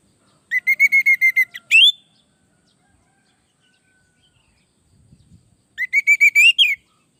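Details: Orange-headed thrush song used to train and lure other birds: two bursts of rapidly repeated whistled notes on one pitch, each ending in a rising whistle, separated by a long silence.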